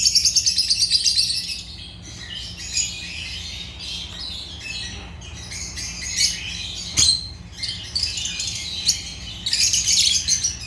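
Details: Agapornis lovebirds chirping in a flock, harsh high squawks and buzzy chatter in bursts, loudest at the start and end, with quieter stretches between and a sharp click near the middle.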